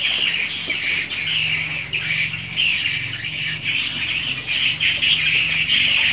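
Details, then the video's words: Swiftlet house recording: steady high, buzzy twittering from a crowd of swiftlets, swelling and fading in waves without a break, over a faint low hum. "REKAMAN SUARA BURUNG WALET ASLI DI RBW SENDIRI"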